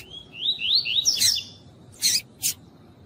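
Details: Female double-collared seedeater calling to warm up a male: a run of quick slurred whistled notes rising in pitch, then a buzzy burst, followed by two short harsh chips about half a second apart.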